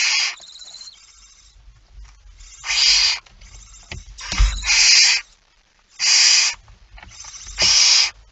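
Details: Nest of a barn owl during feeding, 19 September 2019: irregular, raspy hissing bursts mixed with knocks, shuffling and a brief thin whistle at the start.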